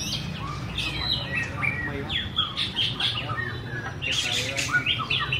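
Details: White-rumped shama song: varied whistled phrases and chattering notes in uneven bursts, growing louder and busier toward the end, with a low steady background rumble.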